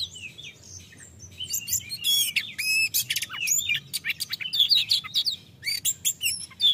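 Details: Loud ngeplong song of an Oriental magpie-robin, played to rouse a reluctant, untrained magpie-robin to sing; opens with quiet twittering, then bursts into dense rattling buzzes, sweeping whistles and rapid chips, varied and almost continuous, with faint low hum.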